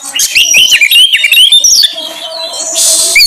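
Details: Brief kacer lure song from an Oriental magpie-robin, meant to set off other birds: a quick string of wavering whistles and chirps, then a sustained high hiss.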